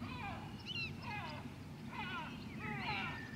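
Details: Short burst of White-tailed eagle yelping at Grönvik, Ornö, 16 July 2024: a few overlapping slurred notes in two clusters, over a low humming background.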